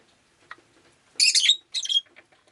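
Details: Rosy-faced lovebird on a rainy day uttering two harsh, buzzy, shrill squawks in quick succession, with faint softer calls around them.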